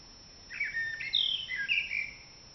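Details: April dawn chorus opened by a common blackbird: one short phrase of mellow whistled notes sliding up and down, ending in a high twitter.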